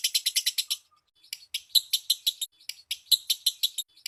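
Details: Lovebird chatter for drawing other lovebirds into song: a short volley of harsh chirps, a pause of nearly a second, then irregular clusters of scratchy notes.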